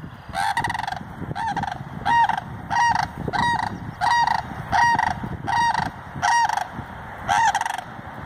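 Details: Sandhill cranes outside Madison, Wisconsin, giving loud rolling, trumpeting calls repeated about every 0.7 seconds in a steady series, with a rumble of background noise underneath.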